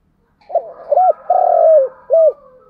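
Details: Captive lure spotted dove cooing in the morning to draw in wild doves. A short coo, a drawn-out falling note and a final arched coo, with a faint steady hum underneath.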